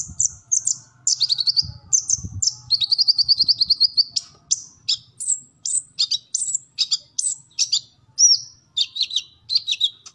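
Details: Full chattering song of a kolibri ninja sunbird for training kept birds: high squeaky phrases, a fast ticking trill, then varied sliding chips and whistles in quick succession, with faint low noise.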